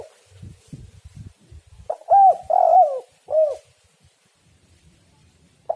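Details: Spotted dove coo played to lure doves: low thumps and knocks, then a phrase of three hollow coos, the middle one long and sliding, and a final note cut off.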